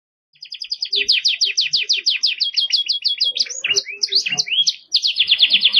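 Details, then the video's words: Canary singing an energetic, clear song in the cengkok mewah style, used as tutor song for training birds: fast rolls of repeated high sweeping notes, then varied whistled slurs and chirps, ending in another rapid rolling trill. "MASTERAN BURUNG KENARI GACOR CENGKOK MEWAH JERNIH"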